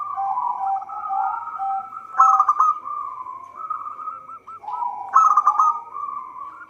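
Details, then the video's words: Local zebra dove in full song, the recording meant as a trapping lure. Low bubbling coos roll on continuously, with two stronger trilled bursts about three seconds apart and a sequence of short beaded notes. "Perkutut lokal gacor suara cocok untuk pancingan."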